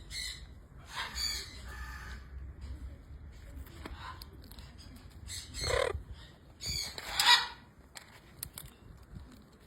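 A military macaw gives a few harsh, raspy squawks in uneven bursts, the loudest near the end, over a low background hum.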